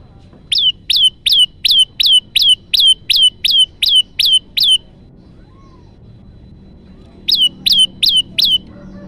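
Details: Olive-backed tailorbird call used to lure birds for trapping: a rapid run of about eleven loud, shrill, down-slurred chirps, a pause of over two seconds, then four more identical chirps.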